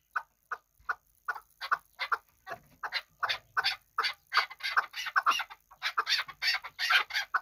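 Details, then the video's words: Kabodiyon hunting chukar partridge giving a fast run of short, harsh chuk notes, about two or three a second, that grow louder and denser toward the end. "Кабки Кабодиён шикори"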